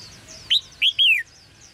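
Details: One red-whiskered bulbul phrase of three liquid notes, the last longest and sliding downward, against soft distant twittering; a chirping call intended to stimulate male singing.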